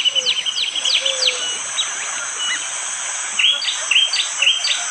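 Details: Bar-winged prinia, prenjak jali, in rainy morning forest at Wonocoyo Village, Indonesia: downswept high notes at first, a pause, then a run of bright, sharp chirps repeated about twice a second, with faint lower whistles and continuous rain.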